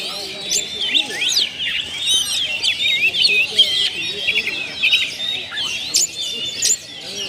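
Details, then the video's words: Oriental magpie-robin singing as a lure to draw out another bird's mimicry: a dense, continuous run of bright whistles, chips and rapid trills, constantly changing notes with no long gaps. "PANCINGAN SUARA BURUNG KACER ,BONGKAR ISIAN"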